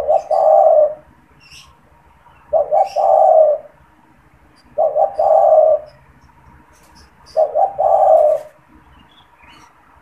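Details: Repeated coos of a caged spotted dove that calls often, especially when people are near its cage, and serves to lure wild doves. Four phrases come about every two and a half seconds, each with two short notes and then a prolonged coo.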